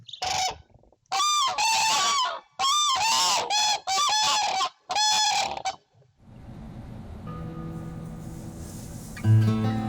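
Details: Common cranes at a winter roost in a wetland at nightfall, staying vigilant even while sleeping, give loud, rolling trumpet calls in repeated bursts about a second long for six seconds, then a quiet low hum with faint steady tones follows.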